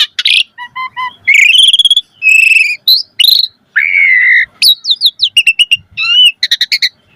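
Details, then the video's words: Asian pied starling singing a varied 'mompa' lure song for training caged starlings: short dry notes, chattering trills, a long steady whistle, then quick clipped whistled phrases and rapid ticking bursts. "Pancingan Jalak Suren Full Variasi Mompa - Masteran Suara Burung Jalak Agar Gacor Full Isian Mewah"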